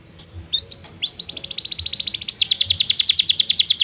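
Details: Belgian canary song as training for non-singing canaries: a few short rising notes leading into a long, accelerating, high rolling trill of repeated notes.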